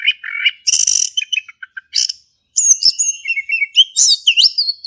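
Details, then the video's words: A male orange-headed thrush delivers dense, rich song meant to stimulate a silent thrush: harsh buzzy bursts and short chips, a brief pause, then a flowing run of high whistled slurs and rising-falling notes. "Anis Kembang Jantan Gacor buat pancingan anis kembang macet bunyi"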